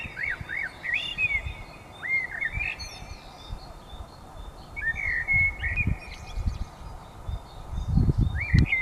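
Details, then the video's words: Birds singing at dawn: short rising and falling whistled notes in scattered phrases, a steady high thin tone throughout, with low rumbling noise and thumps below. "Пение птиц на рассвете."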